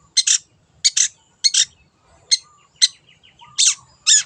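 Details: Long-tailed shrike, a wild bird, in a lure recording: loud, harsh, grating double notes about every half second to second, with faint thin whistled phrases between them.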